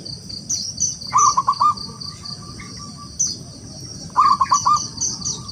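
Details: Local zebra dove from the wild in lively rival-calling song: two matching phrases of four quick bubbling coos, about three seconds apart, joined by a faint sustained coo, over steady high chirping and light background hiss.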